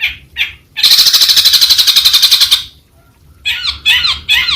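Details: Long-tailed shrike (Lanius schach) singing: two brief harsh notes, a sustained grating rattle of fast pulses lasting almost two seconds, a quiet gap, then three scratchy chattering phrases.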